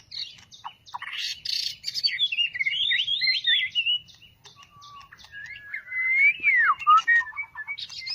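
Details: White-rumped shama fresh from a two-month moult, kept as a cage bird, delivering harsh scratchy notes followed by looping whistled phrases and long rising-and-falling slurred whistles.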